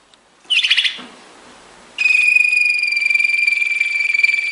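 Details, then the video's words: Belgian Waterslager (Malinois) song canary training song: a short dense trill burst, a pause, then a long steady clear whistled tone, finely pulsed and held to the end. "Belgian Waterslager / Belgian Malinois Waterslager training song vol. 2"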